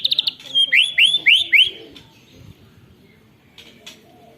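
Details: White-rumped shama with canary song, recorded on a phone: a quick trill followed by four loud upward-swooping whistles in a rolling run, then quiet with faint distant clicks.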